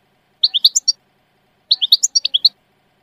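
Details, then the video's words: European goldfinch singing in two quick runs of crisp, tinkling chirps, five and then eight notes, jumping up and down in pitch, with silence in between. "تغريد حسون في غاية الجمال بدون اخطاء"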